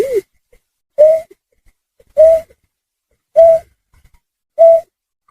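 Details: Snipe, known locally as trinil sawah or burcet, recorded as a lure sound for bird hunting: short hollow hooting notes repeated about once every 1.2 seconds, five notes in total, with faint soft clicks between them and no other sounds.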